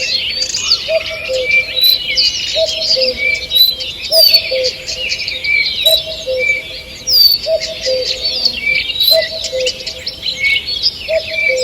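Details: Morning forest birdsong, 2 June 2023: continuous overlapping high trills, chirps and whistles from many birds, a low two-note call repeating regularly underneath, and occasional sharp clicks.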